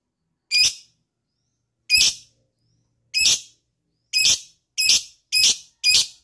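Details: Lovebird repeating a piercing, shrill chirp seven times, spaced about one second apart and closer toward the end, in silence; aimed at prompting other lovebirds into ngekek trilling.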